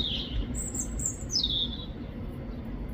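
A robin sings a thin, high, liquid phrase of sweet notes that slide down from very high, over a steady low rumble of background noise.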